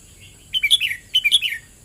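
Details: Red-whiskered bulbul song: two short, lively phrases of liquid whistled notes, each ending in a downward slur, recorded close in near silence.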